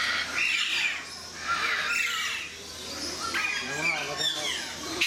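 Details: Alexandrine parakeets at Mysore Zoo, India, give harsh, raucous squawks in quick bursts through the clip, with people talking nearby toward the end.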